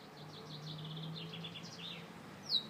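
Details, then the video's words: A Gloster canary sings a soft, rolling run of quick high notes and short trills, ending in one sharper chirp, over a steady low hum. "Gloster Canary Bird Singing"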